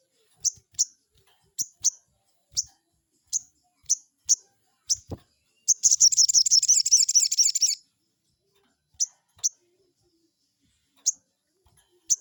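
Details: Crested jay lure to provoke a rival: a series of clipped, high-pitched chirps, then a dense two-second buzzing rattle, then more widely spaced single chirps.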